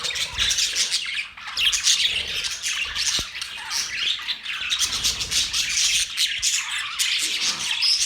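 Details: Budgies chirping together on October 11, 2023: a thick, continuous wall of high twittering and harsh squawks from many birds, steady in loudness, with faint low thumps underneath.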